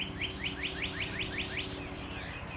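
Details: Loud male Northern Cardinal singing in a garden with a loquat tree, 3 April 2015: a fast run of about eight loud, slurred rising whistles, roughly five per second, then a few higher notes; steady low background hum.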